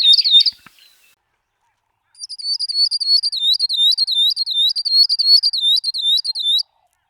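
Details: Northern grosbeak-canary, a bird of Ethiopia, Kenya and Somalia: a brief loud note cluster, a pause, then a four-second run of evenly spaced looping whistles, about three per second, clear against silence.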